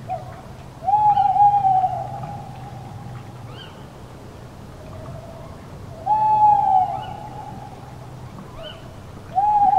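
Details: Night forest with a tawny owl and an eagle owl: an owl gives long, even, mid-pitched hoots, each about a second long, repeated every four to five seconds, over a faint low hum.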